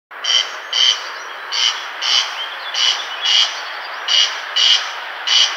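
A corn crake's dry, rasping double note, crex-crex, repeated in steady pairs about every second, over a soft background hiss.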